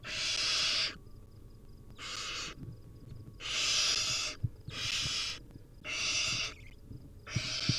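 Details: Hungry barn owl nestlings, wild birds filmed on a nest cam at feeding time, produce loud rasping hisses, six long breathy bursts separated by brief silences, with faint low knocks underneath.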